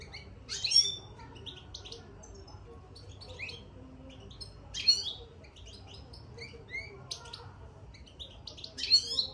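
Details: Caged European goldfinch giving its soft twittering song after entering the cage: rapid tinkling, buzzy and slurred high notes, with louder bursts about every four seconds in a quiet room.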